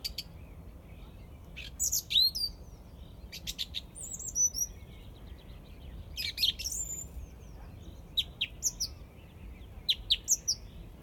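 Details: A song thrush in Izmailovo sings loud, varied phrases of clear whistles and sharp notes, several repeated in quick pairs or triplets, over a faint low rumble.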